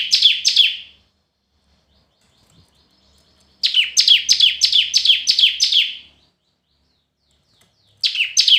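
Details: Red-whiskered bulbul in competitive singing (hót đấu): bright, sharply falling whistled notes in bursts, first a pair, then a quick run of about seven, then another pair, with silent gaps between.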